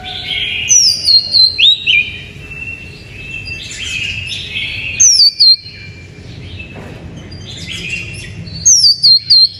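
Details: Oriental magpie-robin song used to lure and stimulate other birds: loud, varied phrases of high sweeping whistles and falling slurred notes, bursts recurring every few seconds between softer chattering twitters, with a faint low hum beneath.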